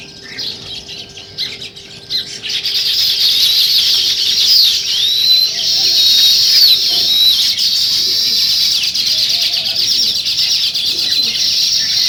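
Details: Sparrows in the morning: a few scattered chirps at first, then a thick, unbroken chorus of high twittering and slurred notes from many birds, with a faint steady hum in the opening seconds.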